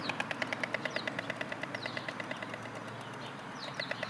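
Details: White storks clattering their bills near a road on 24 March 2022; pairs clatter to greet each other at the nest. Rapid, dry wooden knocks repeat several times a second over steady traffic rumble, with small birds chirping.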